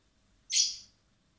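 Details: Common blackbird (Turdus merula) chick fed by hand at a recovery centre in spring before being freed; one short, high, raspy begging squeak over faint background hum.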